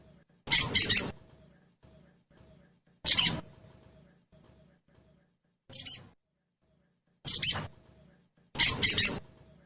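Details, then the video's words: Sogon, played as a lure to make caged sogon birds respond and start singing quickly: five short, sharp, high chirpy bursts, some double- or triple-noted, spaced irregularly over about ten seconds against a quiet background. "Suara Pancingan Burung Sogon Bahan Agar Cepat Bunyi"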